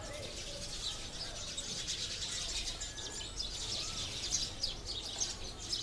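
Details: Thousands of sparrows gathered in a mulberry tree near human settlements, a dense chorus of overlapping high chirps and tweets with no pause, the many birds calling at once over a faint low outdoor rumble.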